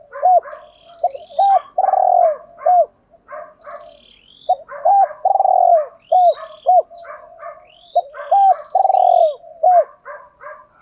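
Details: Spotted dove cooing for training, male and female birds: three repeated phrases of short hooked notes and a long pulsing coo, about every three seconds, amid busy chirping from other birds.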